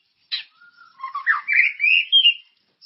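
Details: White-rumped shama song used as a lure to stir other shamas into singing: a short burst opening with a sharp note, then slurred whistles climbing steadily in pitch over about two seconds.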